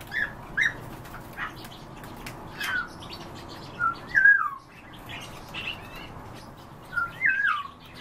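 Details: Morning calls of European bee-eaters: short, rolling, downward-sliding notes, some paired, repeated every one to three seconds, with faint chirping behind them.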